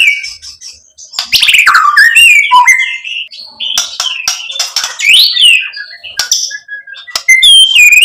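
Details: White-rumped shama as a lure to make another bird answer; soft opening notes build into loud swooping whistles, high thin squeaks and harsh buzzes, with tone and pitch shifting constantly.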